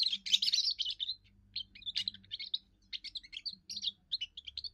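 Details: Young European goldfinch singing its first song, meant to hold territory and draw females: continuous tinkling, twittering phrases with quick trills and sharp notes, broken by brief gaps, over a faint low hum.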